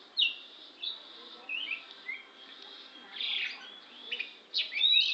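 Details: Lampung-type oriental magpie-robin giving scattered high whistles and sharp chirps in short phrases, separated by gaps, with a few loud, harsh bursts near the end.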